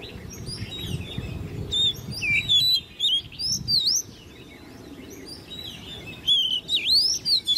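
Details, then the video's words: Caged ten-month-old Oriental magpie-robin, hand-reared from a nestling, in competition singing: loud, varied whistled phrases with sliding, looping notes in quick bursts, separated by short pauses, over a low background hum. "Chú Choè Than Nuôi Non 10 Tháng Lồng Mỏ ''SIÊU DỊ'' Hót Đấu"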